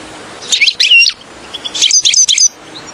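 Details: Two short bursts of bright, high twittering and chirps from a European goldfinch, a recording meant to lure goldfinches into nets, separated by a second of quiet hiss.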